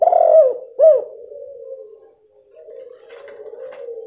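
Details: Female spotted dove call used to stimulate a male that has stopped singing: two mellow arched coos in quick succession, followed by a faint low drawn-out tone and some soft crackling.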